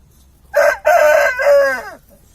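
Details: An Aseel rooster gives a raspy crow, one short note then a long wavering syllable that dips and slides downward, over faint low rumble.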